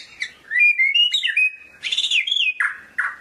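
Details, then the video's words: White-rumped shama of the murai medan type in rich continuous song: clear warbled whistles that rise and fall, a brighter ringing phrase midway, ending in two fuller downslurred notes; clean recording, no background. "SUARA BURUNG MURAI MEDAN"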